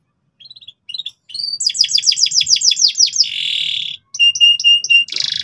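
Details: Canary in loud, nonstop gacor song meant to teach juvenile canaries ngeriwik: soft opening twitters, a run of rapid downslurred whistles, a buzzy trill, clipped pure notes and a closing buzz.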